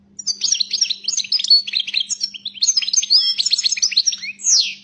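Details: Continuous twittering song of a European goldfinch described as 'pyromeni' (fired up): dense rapid high chirps and slurred notes with a final buzzy swoop, over a faint steady low hum.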